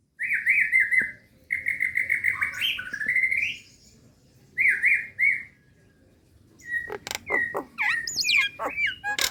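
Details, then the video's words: Female Nias hill myna calling a male, suitable for luring: long wavering whistled phrases near one pitch, separated by pauses, then sharp clicking notes and looping whistles. "JALAK NIAS BETINA MEMANGGIL JANTAN"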